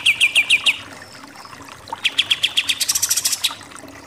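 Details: Pied triller (kapas tembak) song in 'nembak' style. A short run of falling chips is followed by a pause, then a denser, brighter volley of rapid high notes that stops abruptly.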